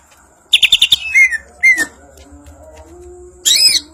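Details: Banyuwangi-type greater green leafbird in ngentrok njambul style: a rapid stutter of five high ticking notes, then two down-slurred whistles, a pause, and a final bright arched whistle.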